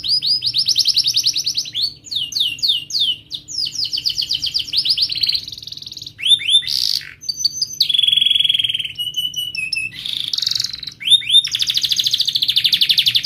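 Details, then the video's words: Sharp chirping, rolling canary song played to teach young canaries: fast repeated upswept syllables, several tours of differing speed, sustained whistled tones and buzzy trills in a long varied phrase. "Kenari Gacor Cuit cuit Ngerol TAJAM, TERAPI AMPUH Kenari MACET, Pancingan Kenari Paud Belajar Bunyi"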